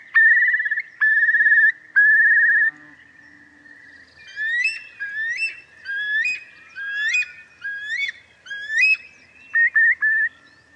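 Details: Eurasian curlew starting with three flat trilled whistles, then a run of loud rising whistled calls about once a second, ending with short clipped notes.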